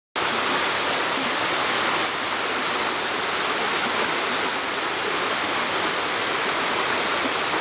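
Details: Loud, constant roar of falling water begins after a brief silence and continues unbroken, with no calls or songs.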